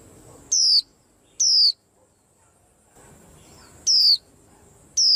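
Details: White-eye calling amid a commotion: loud, high, thin whistled notes that slide downward, given singly at irregular intervals of about one to two and a half seconds, four notes in all, over a quiet background.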